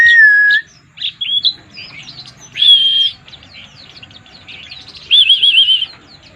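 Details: White-eye singing in the 'mabuk' (drunk) style: a falling whistle opens, then scattered chirps, a steady whistled phrase and a wavering trilled whistle near the end, with softer twitters between the louder bursts.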